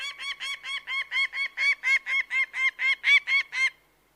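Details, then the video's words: Loud, clean series of clipped, harmonic-rich calls from a bird of prey, about three to four per second, building in strength before ending abruptly. "The Sound of a Bird of prey"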